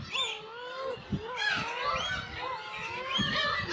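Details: Black-tailed gulls at the Kabushima nesting colony, Hachinohe, Aomori, Japan, on 10 June 2020 with chicks present; GoPro HERO8 recording. Nearby birds give long, wavering nasal mews that rise and fall, several overlapping, over a busy background chorus.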